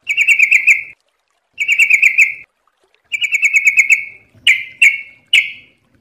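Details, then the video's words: Yellow-vented bulbul (trucukan) in fast 'ropel' singing style: bubbly, warbled phrases of rapid notes about one second long, repeated after short pauses, ending with three separate sharp, dropping notes. "MASTERAN TRUCUKAN GACOR||LANGSUNG NYAUT CEPAT ROPEL||TERAPI TRUCUK"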